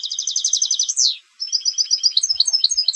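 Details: European goldfinch bred for song competitions, delivering a rapid pulsed trill that sweeps down, a brief pause, then a dense run of high, tinkling, twittered notes.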